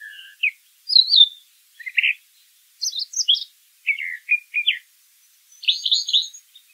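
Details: Brown thrasher (Toxostoma rufum) singing in the wild: scattered high chirps and a slurred whistled phrase, then doubled notes and a closing burry, buzzy phrase, with quiet gaps between.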